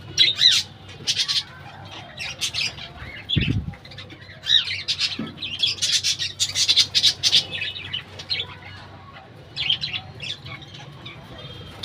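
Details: Budgerigars kept as a colony in a bird house keep up constant raspy squawks and chirps from many birds together, with one low thump partway through.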